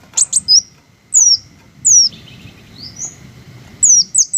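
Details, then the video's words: Green hummingbirds: sharp, very high chirps that slide downward, some in quick doubles, spaced irregularly with short pauses over a faint low background hum. "the melodious sound of green hummingbirds"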